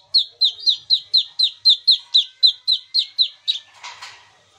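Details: Kinoi in lively natural song, used to lure silent kinoi into singing; a rapid, even series of sharp downslurred whistled notes, about four per second, ending in a brief rough burst.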